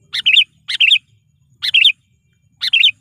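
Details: Lively sooty-headed bulbul lure bird calling to provoke wild rival bulbuls: short, bright chirped phrases, each a quick cluster of three or four sliding notes, given four times with pauses of about half a second to a second between them, with a faint low hum.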